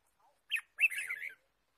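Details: Red-whiskered bulbul chirping in the wild forest during trapping, March 2017: a sharp note followed by a half-second run of bright, rolling chirps, clear and close.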